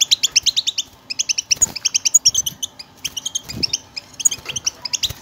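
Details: Group bitbita twittering of European goldfinches, meant to prompt quiet birds to sing: fast trains of bright, high chirps in clusters, with two short low thuds along the way.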